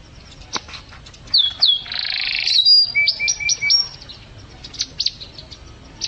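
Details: Canary in lively song, recorded as a model for caged songbirds: sharp slurred notes, a dense buzzy burst, then a run of short repeated whistles and scattered clicks.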